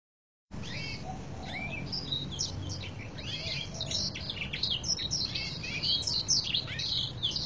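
A canary sings a dense, nonstop run of high chirps, twitters and quick sweeping notes, with a steady low hum underneath.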